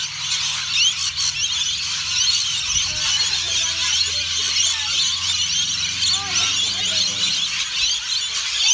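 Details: Many rainbow lorikeets at Currumbin Wildlife Sanctuary screech and chatter in a constant high, harsh chorus, with faint low voices of people beneath and a few clearer whistled notes near the end.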